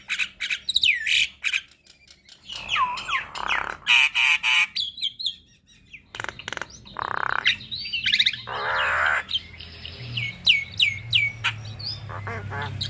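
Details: Javan myna vocal tutor recording with long rolling song for young mynas: high looping whistles, harsh buzzy blocks and rattles in irregular bursts, a brief quiet gap, then more whistles and rasps.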